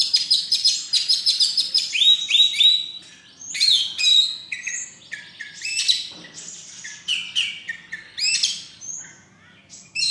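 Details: Champion kacer, a caged oriental magpie-robin competing at a bird festival on 26 November 2023, singing a loud, varied run of clear whistles, buzzy notes and rapid repeated chirps.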